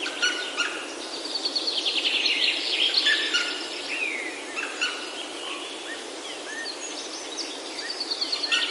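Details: A dense dawn-like chorus of several wild birds in Himalayan oak woods, Himachal, India: overlapping fast trilled series and scattered chirps, with a busy, rapid rhythm throughout.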